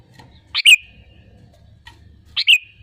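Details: Sooty-headed bulbul, sung as a lure for other birds; two short, sharp whistled phrases nearly two seconds apart with a faint low rumble.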